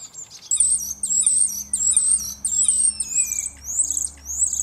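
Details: Two male Common starlings singing in competition in a cherry tree in Germany, mimicking other sounds: high, sharp chirps repeated about twice a second, broken by a long falling whistle, over a low steady hum.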